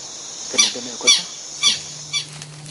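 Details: Southern lapwing, a farm-dwelling guardian of its nest, giving loud shrill screeches when its territory is invaded: four harsh, high calls spaced about half a second apart, over a steady low hum.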